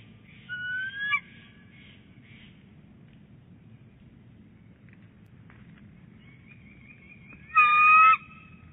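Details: Nesting female bald eagle at Big Bear Lake, heard on January 11, 2018 while rolling eggs. Soft stuttered whistled notes open, then after quiet a thin trill leads into a loud, clear, ringing harmonic call.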